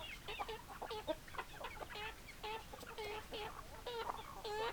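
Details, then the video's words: Hens clucking in a flock, a quick run of short, nasal, evenly spaced clucks, close to two per second, overlapping calls from several birds over a low steady background noise. "Chicken Sounds Noises Hens Clucking Roosters Crowing"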